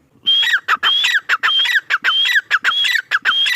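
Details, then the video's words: Male grey francolin giving a loud, steady series of harsh phrases. Each starts with a clear high whistled note followed by grating, falling notes, repeated roughly twice a second with no other sounds. "Teetar ki awaaz | teetar sound | teetar ki boli | male tetar sound"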